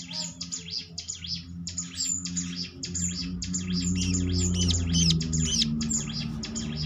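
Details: Prinia lure song: fast, dense, buzzy high chirping repeated several times a second over a steady low humming background.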